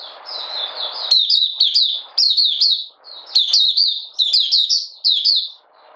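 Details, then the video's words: A Malaysian Oriental white-eye in minor moult sings openly, a rapid, high twittering song of thin slurred notes in quick bursts with brief pauses between phrases. "Mata Puteh Buka Sing"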